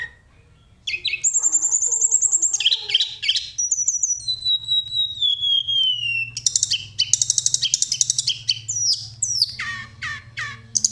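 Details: Sunda robin singing in a chatty rolling, fluting style used to trigger other birds: after brief silence, high rapid trills, a long descending whistle, then dense buzzy bursts and sharp downslurred notes.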